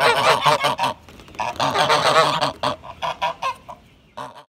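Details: Greylag goose giving loud, nasal, harshly harmonic honks, first in a rapid tumbling run of about eight, then a brief lull, a second dense burst, several spaced single honks, and one last honk after a short pause.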